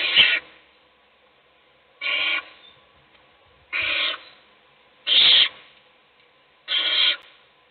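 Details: Owl chick being fed by a parent in a nest box, other chicks asleep; five rasping, hissing screeches in an uneven series, roughly one and a half seconds apart.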